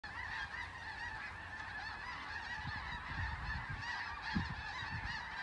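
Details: Snow geese in flocks flying overhead above Delta, British Columbia, Canada, on December 3, 2021, filmed on an iPhone; a dense, continuous chorus of overlapping nasal honks and yelps from many birds, steady throughout with faint low rumble beneath.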